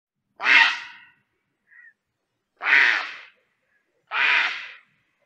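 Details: Grey heron (Ardea cinerea), call.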